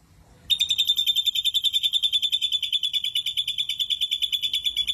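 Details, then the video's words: After half a second of quiet, an ashy drongo bursts into a loud, coarse 'tembakan kasar' trill, rapid even pulses holding a steady high pitch for over four seconds. "Tembakan Kasar Srigunting Abuabu"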